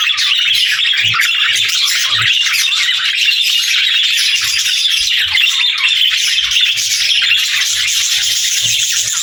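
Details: Budgies chirp together in a continuous, high, rattling twitter, with many small notes blurring into a steady shimmer of sound.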